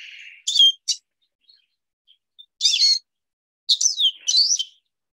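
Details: Lesser goldfinch (Spinus psaltria) song: a soft wheezy note, then three high, jumbled bursts of twittering and slurred notes with short pauses between. It continuously includes the "jijit" flight call and ends with a few "twee" notes.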